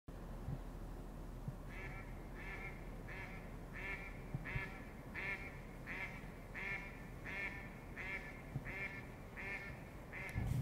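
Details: Duck that has returned and quacks every night until one o'clock, heard at night giving a steady series of short nasal quacks, roughly one every 0.7 seconds after a quiet start, over low background rumble.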